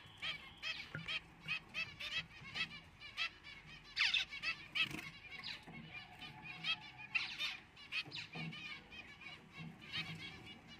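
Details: Four zebra finch chicks (one albino, two white pied, one fawn) give a steady stream of short, nasal, buzzy calls overlapping one another.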